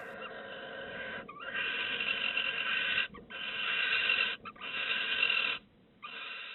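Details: A female barn owl sitting on her first egg in a nest box relentlessly calls at night for her mate, giving long, harsh, hissing screeches, each over a second long, repeated with brief pauses.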